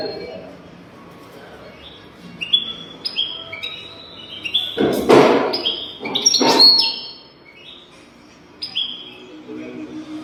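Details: European goldfinch song played as a tutor recording to teach young goldfinches to sing: thin, high whistled notes and short twittering phrases with pauses between, two loud broadband clattering bursts midway, and an indoor room echo.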